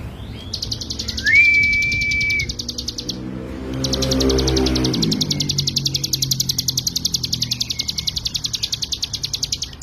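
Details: Ciblek gunung, the hill prinia, in a rapid 'ngebren' tutoring song: long runs of fast, high buzzy notes, interrupted by a level whistle and a low swelling tonal sound before the trill resumes steadily.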